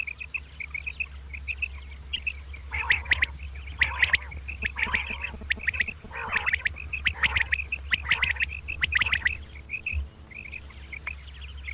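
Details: Common quail (batair) in morning 'kirk karkar' double calling: a thin train of high chirps, then grouped harsh, burry note clusters repeated about every second, easing back to faint chirping, with a steady low hum.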